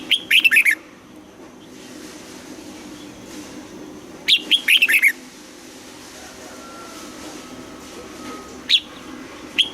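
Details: Red-whiskered bulbul being trained to sing its morning double-note song: two short, rapid phrases of clear whistled notes that drop in pitch, about four seconds apart, followed by two isolated sharp notes against a low steady hum.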